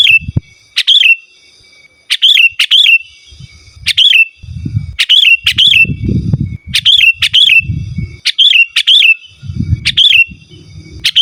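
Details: Sooty-headed bulbul singing for luring wild birds and as a song tutor: short liquid whistled phrases repeated every second or so, each starting with a sharp click, over intermittent low rumbling.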